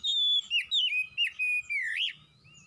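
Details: Oriental magpie-robin singing energetically, loud clear whistled notes, a long level whistle then quick rising and falling slurred phrases with short gaps, ending on an upward swoop; faint low rumble underneath.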